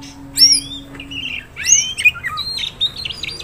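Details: Oriental magpie-robin, a prospect bird for contests, singing varied loud whistles: high downslurred notes, then lower sustained tones and quick slurs. A faint steady low tone sits underneath.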